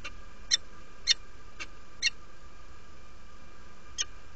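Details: Female peregrine falcon inviting after arriving at the nest in Derby, UK, 17 February 2017, 07:47: loud, harsh chips about every half second, then a pause and one final note, with a constant low hum.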